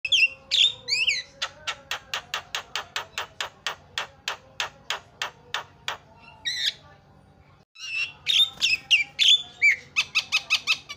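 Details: Javan myna calls used as a lure to make other birds call out: brief whistled notes, then a rapid train of dry clicks about three per second, a pause, and loud harsh squawks with whistles.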